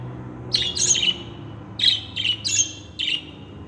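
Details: Singing budgie gives bright, buzzy chirps in quick clusters, a few closely spaced notes then a pause, with a faint low hum behind.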